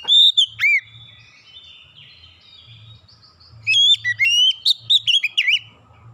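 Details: Magpie-robin lure song: an opening pair of ringing whistles, a quiet stretch of soft warbling, then a run of loud rising whistled notes and buzzy chatter over a faint low hum.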